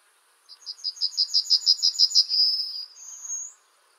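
Yellowhammer song: a dry, rapid series of about a dozen high repeated notes, then a drawn-out note and a final, higher sustained note.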